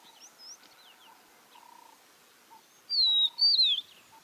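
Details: Speckled mousebird on dry, open savannah plains in Kruger National Park, South Africa, in October, giving two loud, thin, high whistled notes slurring downward in quick succession, with fainter chirps and soft lower notes from other birds behind.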